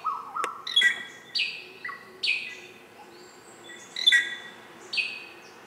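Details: Greater racket-tailed drongo uttering spaced, ringing metallic notes and short whistles, each a sharp bright burst followed by a falling tail, roughly one every second, against a quiet background.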